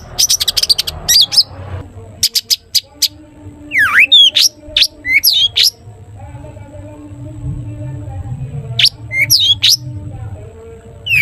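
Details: Long-tailed shrike, a gacor cendet whose song prompts other shrikes: bursts of sharp high clicks, then separated whistled slurs and rising sweeps with pauses between, faint low hum throughout.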